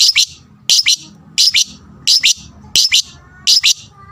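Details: Lovebird fighter call meant to provoke rivals into calling: paired sharp, high, shrill shrieks repeated about every 0.7 seconds, six pairs in a row, with faint low background hum.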